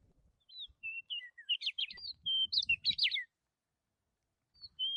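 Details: A bird sings among trees swaying in the wind: a quick, varied phrase of high whistles and chirps, some slurred down and some buzzy, ending in a brief whistled note.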